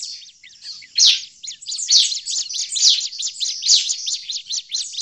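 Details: Noisy, excited calling of a bar-winged prinia, used as a forest lure for the species; quieter high chirps at first, then loud rapid scratchy bursts from one second onward in a steady chattering stream.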